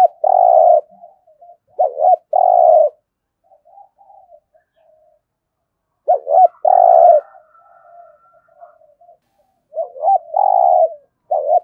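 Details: A spotted dove in Đồng Nai, Vietnam, performs thúc gù competition cooing in a thổ voice: loud low coos preceded by hooked double notes, in bursts separated by quiet mumbling stretches.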